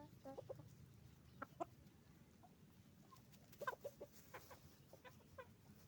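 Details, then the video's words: Roosters and hens on a chicken farm giving scattered short clucks and sharp squawks, with clusters near the middle and end, set against a steady low hum of the barn. "Moment of the sound of a chicken farm, roosters and hens making noise"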